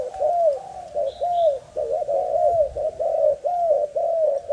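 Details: Lively young male Malaysian spotted dove with a broken wing sings soft, hollow coos that fall at the end, spaced about half a second apart, while faint high chirps come from nearby birds.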